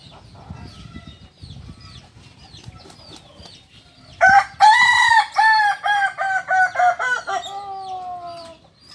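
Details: Solok, West Sumatra Kokok Balenggek rooster, prized for a crow that can rise through many tiers: quiet background chatter, then at four seconds a loud crow breaking into about nine descending stepped syllables, ending in a long drawn note.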